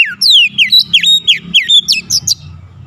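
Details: White-rumped shama song serving as a lure to provoke other shamas: a fast string of loud, sharply falling and rising whistled notes lasting about two seconds, over a low hum.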